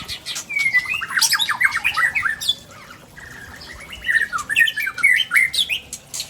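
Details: White-rumped shama from Tangse, Aceh, unloading rare imitated fill-ins: dense bursts of harsh chattering and rising whistles, a brief lull, then more rapid mixed chips, slurs and squeaky notes.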